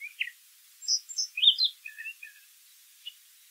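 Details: Brown thrasher singing outdoors, a short stretch of mixed notes: a low chirp, then high rasping phrases and a loud slurred note, trailing into softer low whistles.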